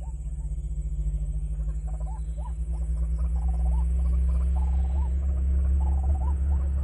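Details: White-breasted waterhen lure call used for trapping: a fast series of short nasal notes, each ending in an upward hook, repeating about three times a second over a steady low hum.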